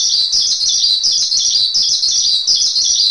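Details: Javan pied starling, masteran song: an intense, steady, high-pitched rattle of chattering notes that barely changes pitch and runs without pause through the clip.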